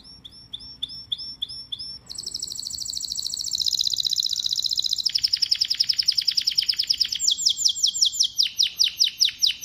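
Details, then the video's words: Male domestic canary singing: spaced rising chirps for two seconds, then loud rapid trills and rolling tours in changing pitches, ending in fast repeated rising notes. "Canary Singing birds sounds at its best | Melodies Canary Bird song"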